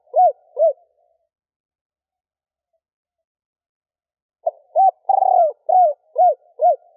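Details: Stuttering coo of a female spotted dove, given to excite males. Two mellow arched hoots, a long pause, then a full phrase: a clipped start note, a hoot, a long pulsing falling coo and three evenly spaced arched hoots.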